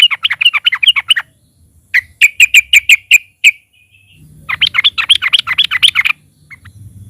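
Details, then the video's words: Loud yellow-vented bulbul song as a lure for other birds: chattering phrase, then a series of sharp ringing chips, then more rapid scratchy chatter over faint hum. "trucukan gacor NARUNG DAN NGALAS, Suara KERAS bikin SEMUA burung TROCOK MU GACOR DAN RAJIN BUNYI"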